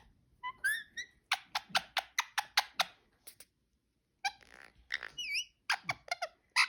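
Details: Cute noises from a pet parakeet: a quick run of evenly spaced harsh clicks, a silent gap, then wavering whistled squeaks and grating chirps.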